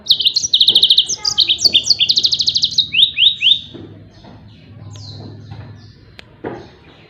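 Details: Yellow-fronted canary song in the 'tembakan' style, kept as a master recording for training other songbirds; rapid bursts of high, buzzy trilled notes and sweeping descending phrases for about four seconds, then fading into a low background hum and a faint click.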